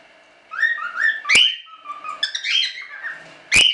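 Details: Standard cockatiels from a small hobby breeding of show birds. Short rising whistled chirps repeat in quick succession, broken by two piercing shrieks that level off into steady high tones.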